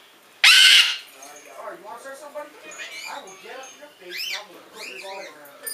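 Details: Pet Triton cockatoo answering a bare-eyed cockatoo recording indoors, with a bare-eyed cockatoo also in the room: one loud, harsh, broadband screech lasting about half a second, followed by quieter chattering, voice-like sounds and squeaky calls.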